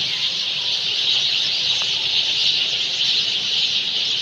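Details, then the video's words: Evening chorus of Sind sparrows settled in nests among trees at dusk: countless overlapping high-pitched chirps blend into a continuous shimmering hiss, with one brief sharper click near the middle. "Sparrows In their nests ||the day is over||Night is to begin||Chirping Sounds ||Sind Sparrow||"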